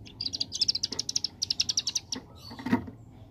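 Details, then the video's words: Rapid machine-gun song of a ciblek gunung prinia, called 'ngebren AK47': evenly spaced sharp high clicks delivered in fast runs, ending with a low knock near the close. "Ciblek Gunung Paud Gacor Ngebren Ak47"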